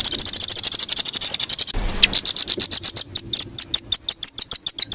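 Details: Filler song for training competition songbirds: rapid, evenly repeated high chips, a brief noisy break, then a new run of sharp notes with a thin whistle threading through.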